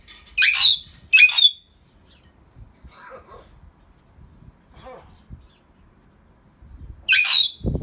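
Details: A pair of captive greater hill mynahs, birds with a good vocabulary of talking: harsh, broadband squawks come twice in quick succession, then quieter murmuring notes, then another loud squawk near the end.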